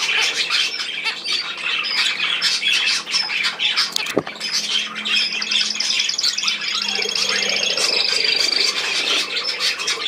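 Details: Budgerigars on 10 June 2024 keep up nonstop scratchy warbling and squawking. A sharp knock sounds near the four-second mark, and a thin high whistle runs through the later part.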